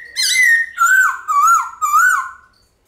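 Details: White-cheeked laughingthrush delivering a long, ringing forest-style song: a sustained level whistle, then three wavering, gently undulating whistled notes fading out.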